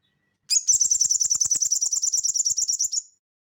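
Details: Singing Crested jay with a ngeleper-style rattle, used as training audio for cage birds: one continuous, high, chattering burst of rapidly repeated notes, about two and a half seconds long, in a clean recording.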